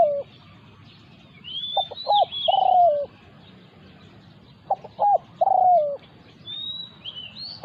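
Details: Spotted dove in a territorial encounter between a decoy bird and a wild resident one. The coo phrase is heard twice, each time a few short stuttering notes leading into a long, mellow, downward-sliding coo, about three seconds apart. Faint high chirps sound above.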